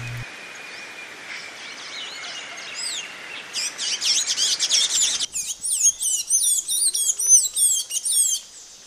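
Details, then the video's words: Blue-gray tanager, the Amazonian form resident across northern Brazil. After a few seconds of quiet background hiss, it bursts into rapid, squeaky, high twittering notes with quick up-and-down slurs, strung together densely for about five seconds. "O canto do Sanhaço da Amazônia"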